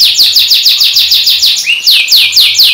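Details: A newly acquired male canary in Indonesia, whose song bouts run about 25–35 seconds, sings a fast, high run of repeated down-slurred notes, about four per second, with a brief rising whistle midway.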